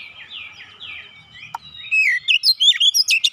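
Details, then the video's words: Oriental magpie-robin lure song meant to get a silent bird singing. Soft, falling whistled slurs repeat for the first half, then a brief click. Louder, varied bright whistles and chirps follow in quick succession near the end. "TANPA LAMA LAMA KACER MACET BUNYI LANGSUNG NGEPLONG GACOR SEKALI PANCING"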